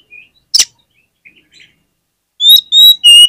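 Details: Oriental magpie-robin song used as a lure to make other magpie-robins sing: a few soft faint notes and a sharp burst, then loud, clear, high whistled notes repeated rapidly at the end.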